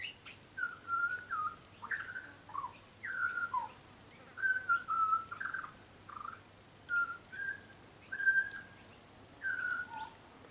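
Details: Young butcherbird, lighter black than an adult, tame and often visiting a garden, singing a run of clear fluted whistles between about 1 and 2k, some gliding up or down, in short phrases spaced by brief pauses, over quiet background.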